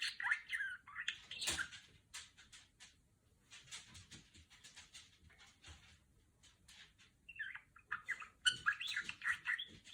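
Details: Female budgerigar, a pet, producing R2-D2 imitations. Warbled, bleeping chirps come at the start, then a stretch of soft scratchy clicking chatter, followed by another lively burst of whistled, wavering notes at the end.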